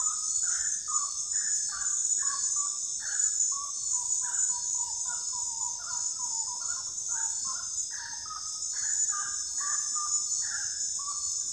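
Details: A common gallinule cackles in a continuous run of short, slightly nasal notes, dipping in pitch then climbing again. A dense, high insect hum runs steadily underneath.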